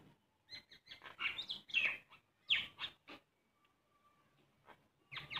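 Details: A common myna that visits a house window daily sings a jumble of harsh chatters, gurgles and sharp whistled notes in quick, uneven bursts, with a short quiet pause midway.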